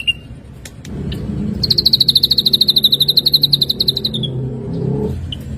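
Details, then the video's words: Ashy drongo training recording for songbirds: after a few faint scattered notes, a long rapid trill of pulses slowly falls in pitch for over two seconds, ending with a short soft note. "materi masteran burung srigunting abu - abu"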